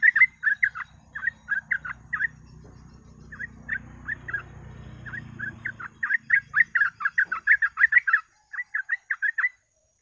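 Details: Sooty-headed bulbul 'gacor ropel' lure song: spaced groups of sharp whistled notes over a low rumbling background noise mid-way, then a quick dense run of bright chattering phrases near the end.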